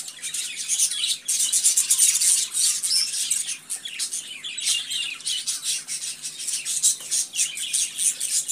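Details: Budgerigars in busy, overlapping chatter: rapid, irregular squawks, clicks and warbled chirps pour out at about three per second, rising and falling in bursts, over a faint low hum.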